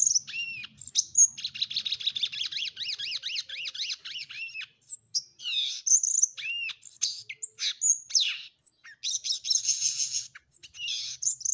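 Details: A Violaceous Euphonia, one of Brazil's most beautiful songbirds, sings a fast, varied jumble of high chips, buzzy trills and sweet slurred notes, switching phrases every second or two.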